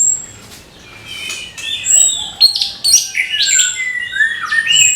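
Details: Orange-headed thrush in the morning, a soft start building into a lively gemercik run of quick whistled slurs, chirps and tinny high notes delivered almost nonstop.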